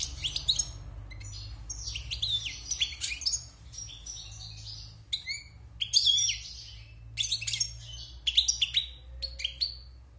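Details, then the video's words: Moulted wild goldfinch kept six months in a cage delivers bursts of tinkling, high chirps and fast twittered phrases, separated by short silent gaps, with a faint low hum beneath. "Chant de Chardonneret sauvage (Repassage)"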